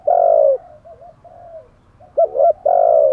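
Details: Spotted dove used as a decoy to draw wild doves, giving a loud drawn-out coo, faint soft murmurs, then a sharp double note and another long, smooth coo.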